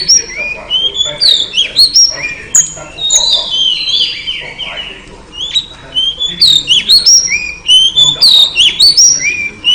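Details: Female oriental magpie-robin calling to lure a male into singing: a rapid, varied stream of clear whistled notes, many sliding up or down, with brief pauses and scratchy chips between phrases.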